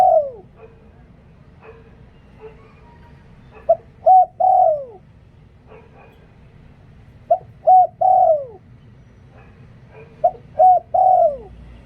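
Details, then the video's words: Decoy spotted dove giving หลิ่วตัน-style song: mellow three-note cooing phrases, the final note longer and falling, repeated about every three seconds, with soft low background hum between phrases. "หลิ่วตัน เสียงนกต่อ นกเขาใหญ่"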